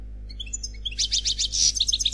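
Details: Unmated male European goldfinch singing in the Khalwi style: after a quiet start, a fast run of high, bright twittering notes with short buzzy trills, climbing in intensity toward the end.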